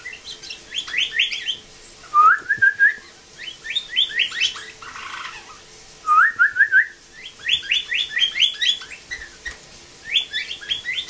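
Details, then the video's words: Blue jay in rehabilitation mimicking a northern cardinal: bursts of rapid downslurred whistled notes alternating with rising slurred whistles and short chips, repeated over several phrases; a person's whistling likely prompts it. "Bluejay Imitates Cardinal"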